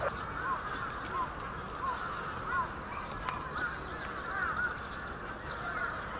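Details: A huge flock of bramblings in Yoyogi Park, Japan, February 2019, with short down-slurred call notes repeated about every half second over a soft chattering background.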